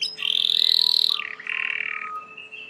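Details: Domestic Belgian canary, heard quieter: a slightly rising trilled roll, then a lower roll that fades away.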